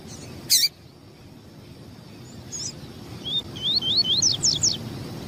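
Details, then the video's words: Call of a female double-collared seedeater meant to excite males into singing: one sharp high chip, then after a pause a quick run of thin rising notes, repeated several times per second. "Esse Piado de fêmea de Papa capim Vai Deixar Seu Papa capim tui tui Cantando Muito Rápido!!!"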